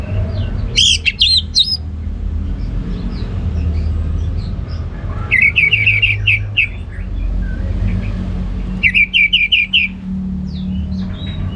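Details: Orange-headed thrush giving ngeplong gacor song, meant to prompt lazy home birds into singing. Three separated bursts: a rich warbled phrase, then two quick strings of bright, evenly repeated chips over steady background rumble.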